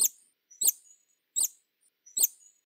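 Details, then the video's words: Hummingbird producing loud, sharp, high squeaky chips roughly every 0.7 seconds. Each chip trails into a brief buzzy tail, and the background is silent. "Sonidos de Colibries - COLECCION SONIDOS DE COLIBRIES - Hummingbirds Sounds"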